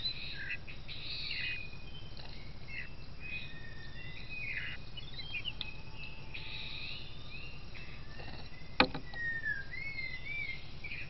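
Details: Rufous-tailed shama recorded by a camera trap in the Sabangau Forest: scattered whistled notes and short rising and falling phrases over a steady low rumble of forest noise, with a sharp click near the end.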